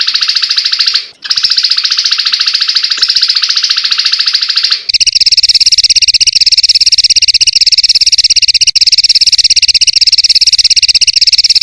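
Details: Prinia (perenjak) combination song used as tembakan bird-training audio: a continuous buzzy high trill with a brief gap, then a harsher, richer trill carried on to the end over a low hum.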